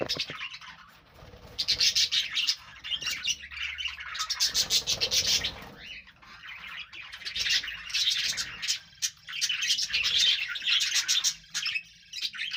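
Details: A budgerigar group keeps up long stretches of lively warbling chatter, scratchy chirps and squeaks rising and falling in waves, with faint flutters.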